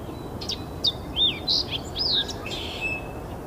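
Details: Fox sparrow singing at Iona, 28 September 2017, a Thursday: a brisk phrase of rich, slurred whistles, some dipping and some rising, delivered in quick succession over low, constant background noise.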